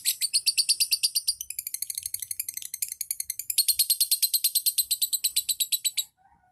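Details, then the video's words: Caged lovebird giving a long unbroken chattering trill, used as a lure to stimulate other lovebirds to trill: rapid sharp shrill notes repeated about three per second for six seconds, high and slightly rasping, then stopping abruptly. "Lovebird pancingan ketik langsung ngekek panjang"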